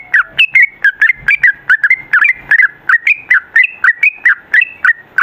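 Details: Sooty-headed bulbul in long 'ropel' song: a steady, unbroken stream of short whistled and bubbly notes, about four per second, rising and falling slightly in pitch.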